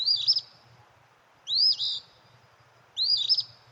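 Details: An Eastern Phoebe at Natural Tunnel State Park repeats its burry two-part fee-bee phrase, its own name, about every one and a half seconds, high and slightly buzzy, over a faint low hum.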